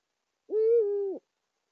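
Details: Single drawn-out hoot, steady and slightly falling, about three-quarters of a second long, from a courting Eurasian eagle-owl pair of male and female at their nest site in Saxony, Germany, in January 2022.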